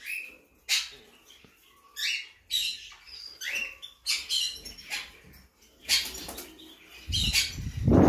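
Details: Blue mutation monk parakeet uttering short harsh squawks separated by pauses of about a second, ending with a low thumping sound.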